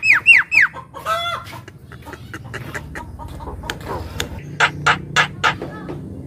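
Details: Javan myna, kept bird sung to lure others and to set silent birds singing: three quick rising-falling whistled notes, a harsh grating squawk, scattered chatter, then four loud rasping bursts in a row.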